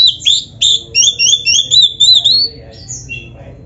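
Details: Captive-style black-breasted kacer (Oriental magpie-robin) singing bright paired whistles that each rise sharply, given in quick succession, then a few softer falling notes.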